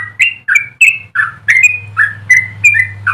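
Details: Bright, slurred whistled notes from a singing yellow-vented bulbul, each sliding down in pitch, delivered about three per second above a steady low electrical hum.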